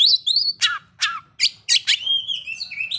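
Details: Kacer (Oriental magpie-robin) lure song meant to excite breeding condition and aggression: slurred whistles, then steep downward notes every half second, ending in long wavering whistles over a faint low hum.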